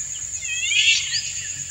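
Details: Singing male Indian golden oriole courting a dancing female; one full, layered rising note swells and fades, followed by a lighter upslurred whistle, over a steady high insect drone.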